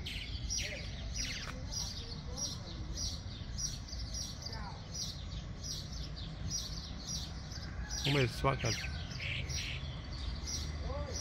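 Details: Church swallow calling its companions in front of an old mansion, giving quick, high twittering chirps with a burst of gurgling warbled notes near the end, over a steady low background rumble and a faint voice.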